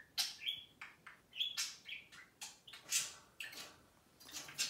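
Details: Two caged budgerigars warble and chatter: brief whistled notes gliding between clicks and buzzy bursts, irregular and busy.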